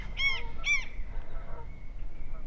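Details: Geese near a rural lakefront cabin in Sweden on a chilly evening, described as going mental, give two loud nasal honks half a second apart, then a fainter third, over a steady low outdoor rumble.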